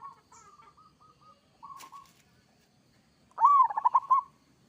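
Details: Local zebra dove in kerot style gives several soft flat coos, a single sharp click, then a loud arched coo that rolls into a stutter of quick pulses.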